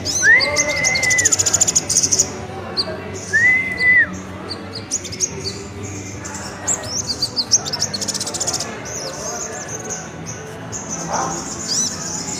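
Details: Sunbird (kolibri ninja) in nerecet song, high thin rapid trills and sharp chips, mixed with two lower drawn-out whistles early on and steady background murmur.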